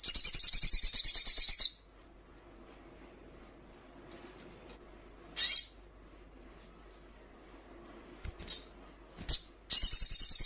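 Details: Female hill prinia calling for a male while in breeding condition, opening with a fast, high buzzy trill, a long pause, then scattered sharp high notes and another brief trill at the end.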